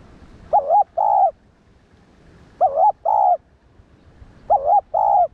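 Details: Spotted dove, cu đất in local usage, cooing to rouse other doves: three two-note phrases, a quavering hoot followed by a longer even one, roughly every two seconds.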